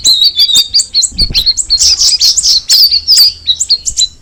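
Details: High, crisp chirps from a straw-headed bulbul (cucak rawis), starting as evenly spaced notes, then merging into a fast, loud jumble of whistles and twitters.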